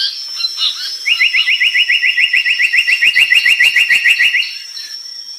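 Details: Pied fantail delivering a fast, even trill of about twenty-five identical sharp chirping notes over three and a half seconds, with a steady high electronic whine throughout.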